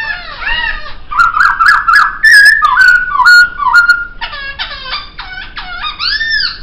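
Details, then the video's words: Laughingthrush singing on a songbird training recording: rolling arched notes give way to clear, level fluting whistles, then to quick repeated downward chirps and looping phrases near the end. "Masteran Suara Poksay"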